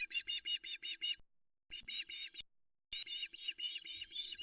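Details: Female osprey on the Loch Arkaig nest in Scotland, waiting at 05.22 in misty early light for a fish delivery: bursts of rapid, high piping chirps repeated in quick series, with short pauses between runs.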